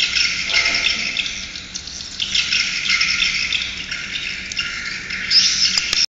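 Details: Swiftlet chorus played on a swiftlet house sound system, continuous high, hissy chirps and rattles rising and falling in loudness, with a few sharp clicks near the end.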